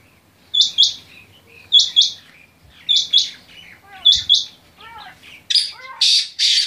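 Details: Quail calling with sharp doubled high chips repeated roughly every second, followed by descending softer notes and then louder harsh rasping bursts.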